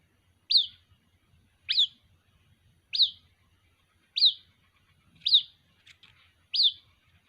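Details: White-breasted waterhen chick calling for its mother with a steady series of six sharp, high, upslurred chirps, one roughly every 1.2 seconds, over faint low background rumble.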